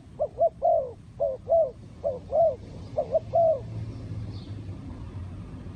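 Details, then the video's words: Spotted dove giving repeated mellow cooing phrases, each a quick short coo followed by a longer falling coo, about four phrases in a row before fading out, over constant low background rumble. "The Sound Of Spotted Dove"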